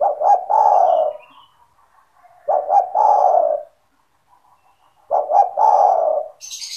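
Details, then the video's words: Kept spotted dove in full voice, its call used to lure other doves into calling: three low cooing phrases, each two short stuttered notes then a long throaty coo, about every 2.5 seconds, with brief high chirps at the end. "SEMUA TEKUKUR / DERKUKU AKAN TERPIKAT DENGAN SUARA TEKUKUR GACOR INI"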